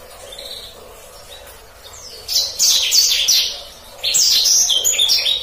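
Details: Black-throated canary tutor song in the 'ngeroll' rolling style: after a quiet opening, two bursts of quick, high, repeated chirps and slurs, about four notes each second.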